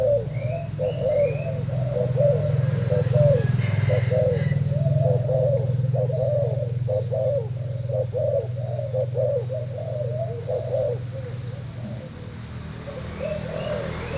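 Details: Spotted dove of Thai type, two days caged, dueling a decoy with its coo: a long fast run of low bubbling coo notes, rapidly repeated, over a strong steady low hum, with faint higher chirps at times.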